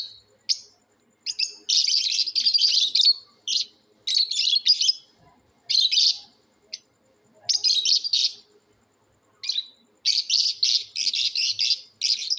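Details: Shrill lovebird calls from a natural sounds competition: dense, scratchy chattering bursts lasting up to a second, broken by short silences, with a long continuous run of harsh notes near the end.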